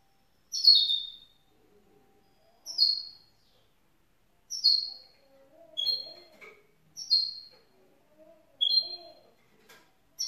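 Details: Young grey-blue goldfinch mule hybrid giving short, sharp, high chirping calls about every two seconds, separated by silences, with faint low rustling sounds between calls.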